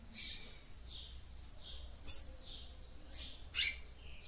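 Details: Female seedeater (papa-capim) singing to stimulate the male: soft high chirps repeated at roughly half-second intervals, broken by two louder, piercing downslurred notes, over a low background hum.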